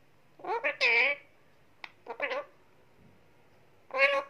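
An Indian ringneck parakeet gives quick bursts of short, rich, almost speech-like squawks, then one more call after a pause, in a quiet room.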